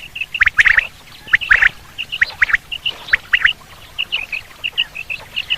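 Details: Quail call used for hunting quail, batair: short, high chirping notes in tight clusters, about one cluster a second, with a few harsher, rasping bursts mixed in over a faint background hiss.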